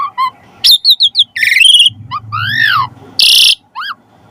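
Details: Asian pied starling singing a varied medley: short whistled notes, buzzy trills, sweeping rising and falling whistles, and a burst of harsh screech, over a low rumbling undertone.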